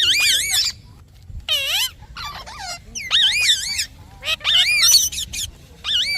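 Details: Parrot chirping: repeated loud, wavy warbling calls with strong overtones, in bursts of about half a second to a second separated by short quiet gaps.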